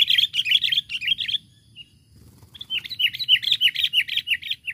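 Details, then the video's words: Sooty-headed bulbul, rival-challenging lure call: fast series of sharp, repeated chirps, roughly three per second, broken by a brief pause before resuming with another rapid run of similar notes. "Pikat Burung Kutilang Memanggil Lawan"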